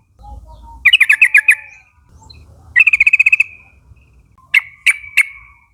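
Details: Yellow-vented Bulbul call meant to prompt a young flock to answer: quick stuttering runs of six to eight bubbly notes trailing into a thin whistle, then three sharp separate notes, with faint low background rumble.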